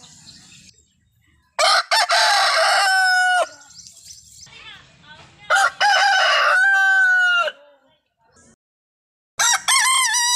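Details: Desi rooster giving repeated crows, three loud harmonic bursts spaced several seconds apart, each opening with rough notes and then sustaining a long steady tone. Quieter background sounds fill the gaps.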